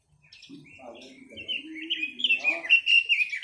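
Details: Chinese hwamei singing in an indoor setting, a thin whistle building into a loud, rapid series of bright, slurred whistled notes, with a low humming voice underneath at the start.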